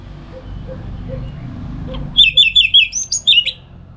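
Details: Home-kept orange-headed thrush in Singaraja, Bali, in morning 'ngeplong' song: faint soft chips at first, then a loud phrase of rapid slurred whistles repeated about three times a second, used as a model for other birds.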